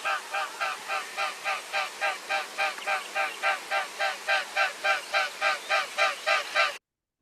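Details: A mute swan in flight, London: its wings make a loud, rhythmic, scarily loud throbbing hum, about three and a half beats a second, steady with no calls, unlike trumpeting whooper and Bewick's swans.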